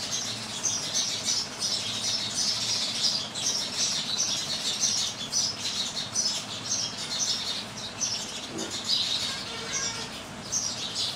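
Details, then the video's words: House sparrows in India giving a busy run of sharp, high chirps, packed closely and repeated without a break, with a faint low rumble underneath and one brief lower note near the end. "Indian Sparrow"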